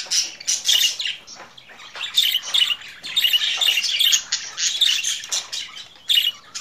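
Budgerigars chatter continuously, a dense run of scratchy warbles, squawks and quick chirps packed high in pitch, with no pauses and nothing else heard.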